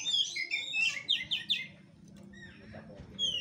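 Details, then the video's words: Oriental magpie-robin in fighting-style kura-kura play: a short run of four or five loud, rich whistled phrases that fades into quiet background rumble, then a single thin high whistle at the end. "KACER NGEPLAY TARUNG|GAYA KURA KURA"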